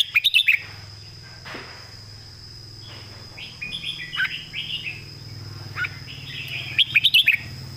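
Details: Loud song of a caged red-whiskered bulbul in the southern Thai master style, opening and closing with rapid clicking bursts, with a series of short sweet warbled phrases in between and a low background drone.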